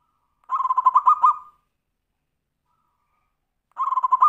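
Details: Zebra dove giving a tumpang sari style song meant to prompt other birds into singing: a quick burst of rolling, purring coos lasting about a second, a long pause, then another burst starting.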